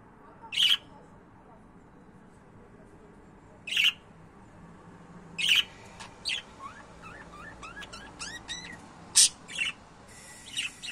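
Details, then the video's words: Home budgerigars: loud harsh squawks spaced a few seconds apart, then a busy stretch of quick whistled rising and falling chirps and clicks typical of chattering pets indoors. "My Budgies 🦜 my love 💕"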